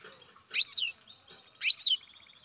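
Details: Baby European goldfinch bred in captivity utters two short, bright chirp phrases a second apart, each a cluster of high, sweeping notes, the second trailing into a soft rapid trill.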